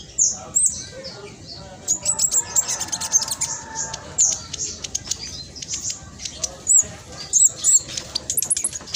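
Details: Spotted black sunbird in lively song, used to coax silent caged birds: scattered very high thin whistles and clipped ticks in short irregular bursts.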